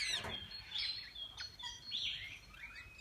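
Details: Parakeets in a walk-in aviary that visitors enter to feed and hold them; thin whistled chirps and short rising notes at moderate volume, with a brief burst of noise at the start.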